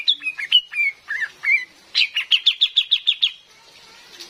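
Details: Lure recording of a female cream-vented bulbul for trapping in forest: several slurred, varied whistles, then a steady string of about nine quick, high chirps before the calling stops.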